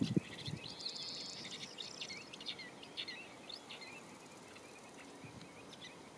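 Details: Woodchat shrike singing near Olhão, Portugal, in April 2021: a faint, scratchy run of varied high chirps and twittering notes against steady low background noise.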